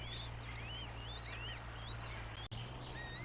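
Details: At a Eurasian goshawk nest in Tartu, Estonia, 9 May 2025, chicks utter loud, clear arched whistles in quick succession, some slurring upward, briefly interrupted by a short dropout, against a low droning hum.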